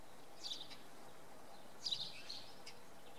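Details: Common redpoll heard in fog one evening at Oksywie, Poland: two brief clusters of high, slightly buzzy chirps about a second and a half apart, with quiet low background noise.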